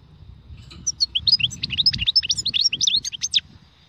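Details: European goldfinch delivering khalwi-style song, a rapid, continuous twitter of bright, tinkling chirps and quick slurred notes lasting about three seconds, with a low murmur of background noise early on.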